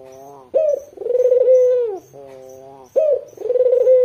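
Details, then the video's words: Barbary dove of the white, red-eyed form, kept as a calling lure for wild local doves. Two full coos: an abrupt upslurred start, then a sustained vibrating low coo, with a quieter flat humming note filling the gap. "Puter putih mata merah gacor dor buat pancingan puter lokal anda"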